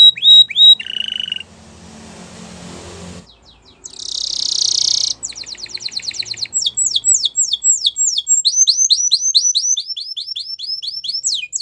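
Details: Singing canary: a few sharp whistled notes and a low trill, a quiet gap, a loud harsh high roll, then a lively run of rapid repeated downward-sweeping notes continuing to the end.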